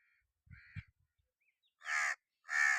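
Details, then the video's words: Crow calling with harsh caws: two quieter rasping notes with low thuds, then two loud hoarse caws close together. "Crow Calling Cawing Sound"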